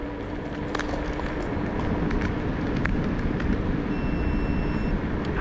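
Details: A steady rumble of an electric scooter riding beside the Oise on a sunny September day, with rolling road noise and a faint whine, and no animal voices.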